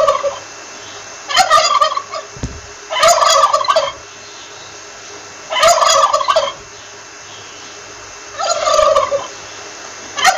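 A wild turkey gobbles four times, each a rapid rattling burst about a second long, spaced two to three seconds apart over a faint background hum.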